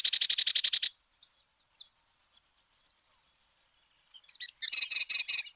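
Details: Sedge Wren song recorded in Argentina: about ten fast, harsh, evenly spaced notes, then a long thin tinkling series of high chips, finishing with a loud buzzy rattle.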